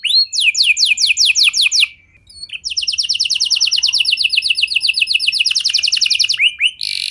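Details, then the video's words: Canary lure song meant to set other canaries singing: a fast trill of descending whistles, a short pause, then a long rapid rolling trill of even repeated notes, ending in upswept whistles and a high sustained tone. "Pancingan Suara Burung Kenari Lagu Unik! Buat Kenari Mana Saja Pasti Ikut Bunyi"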